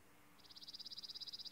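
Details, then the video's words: Chipping sparrow on a chilly spring morning in the nesting season, heard from a backyard porch: a dry, rapid trill of high chips, about fifteen per second, steady on one pitch after a quiet start; finding: chipping sparrow. "that's the noise the chipping sparrow makes."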